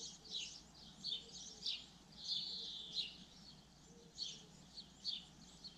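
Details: Singing common linnet: a varied twitter of quick high chirps, a longer buzzy trilled phrase in the middle, then scattered separate notes, with a soft low hum underneath.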